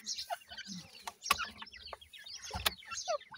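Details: Captive ring-necked pheasant chicks at feeding time, a group giving thin, high, downslurred peeps in quick overlapping series, with sharp pecking or tapping clicks throughout.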